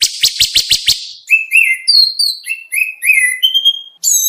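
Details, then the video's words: Contest training song of an oriental magpie-robin: opens with five rapid harsh buzzy notes, then a string of clear whistled slurs, some falling, some rising, varied and sweet. "Suara masteran Kacer lengkap materi mewah buat lomba"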